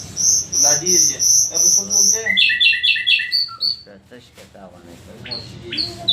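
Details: Nightingale repeating a high clipped note about twice a second, then switching to lower doubled notes, a descending pair of whistles and a few scattered high pips against a faint hum.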